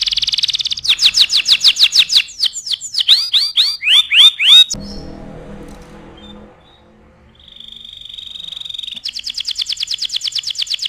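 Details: Canary in full song as a model for training other birds: fast trills and looping downward sweeps, a quiet pause with soft low rustling, then a steady high tone and another rapid trill.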